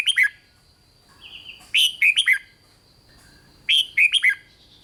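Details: Three phrases of red-whiskered bulbul song, meant to excite other bulbuls, each a rapid run of four ringing, downslurred whistles about two seconds apart, with faint softer notes and a high steady whine between.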